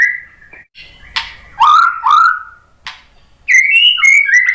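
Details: White-rumped shama (murai batu) singing to provoke other shamas into song: loud, clear whistles sliding up and down, mixed with harsh rasping bursts and sharp clicks, ending in a bright rising whistled phrase.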